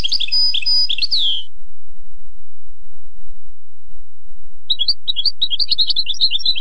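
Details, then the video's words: European goldfinch (maknin) tutoring song for young goldfinches: a burst of tinkling notes ending in a long downslurred whistle, then a quiet pause, then a rapid run of liquid, twittering chirps resumes. "chant maknin pour écolage jeune chardonneret"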